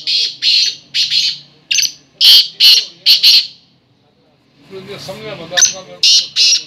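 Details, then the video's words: Black francolin giving its chakri call: rough, buzzy bursts repeated in uneven runs, then a brief silence, murmuring in the background, and more harsh bursts resuming at the end. "Kala tetar chakri | کالے تیتر کی چکری"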